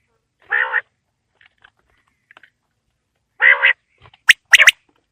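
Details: Quail calling in a winter evening: two rough nasal notes about three seconds apart, then a quick burst of sharp clicks.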